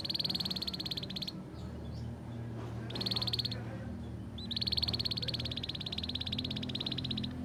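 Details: Canary tutor song in the ngriwik style, meant to teach young canaries to sing: buzzy, rapidly pulsed trills at a steady high pitch come in three bursts, with a steady low hum underneath.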